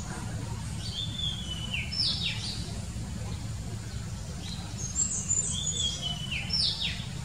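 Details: Oriental magpie-robin in the wild giving two bursts of clear whistled song, each a high note followed by descending slurred whistles, separated by a pause, over constant low background hum.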